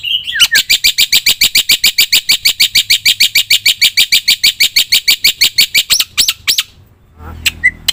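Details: Black-winged myna singing vigorously for use as a lure: a long, rapid, very regular series of harsh high chatter notes, roughly three per second, breaking into scattered notes and a faint low rumble at the end.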